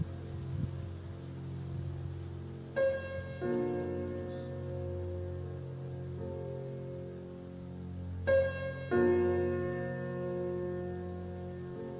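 Soft piano music with sustained chords and a low background rumble; no animal calls can be heard.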